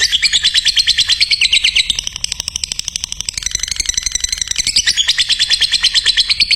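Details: Lovebird song for training other lovebirds: fast high chattering bursts, a softer stretch in the middle, then loud rapid chirping resumes.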